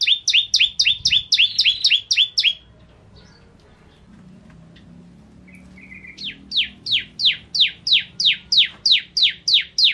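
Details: Lively song of a bar-winged prinia, recorded as tutoring material: a rapid series of bright chirps, a pause with one brief note, then a long run of steady, downward-sweeping chips.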